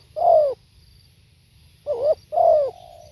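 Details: Live spotted dove: a falling coo, then after a pause a short wavering note and a long descending coo that trails into a soft, low drawl.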